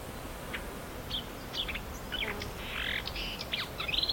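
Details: Marsh warbler, called the Polish lyrebird and known to mimic other birds: a varied string of short high chirps, slurred notes and brief buzzy bursts, quick and irregular, growing busier toward the end over a soft hiss.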